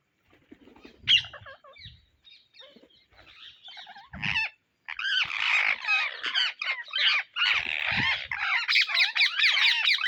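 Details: Indian ringneck parrots searching for seeds: scattered squawks at first, then a dense, continuous chorus of harsh, chattering screeches over the second half.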